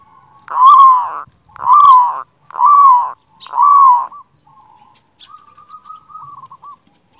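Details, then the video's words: Strong-voiced local zebra dove singing, used to make reluctant doves sing and raise their breeding drive: four loud, arched, full coos in steady succession, followed by softer, rapidly trilled notes. "Perkutut lokal gacor suara besar Masteran perkutut bikin yang malas jadi bunyi"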